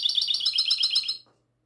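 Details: Goldfinch hybrid, classic song recorded at night on 22 March 2020: a quick burst of high, evenly pulsed trilled chirps about ten to the second, ending after roughly a second.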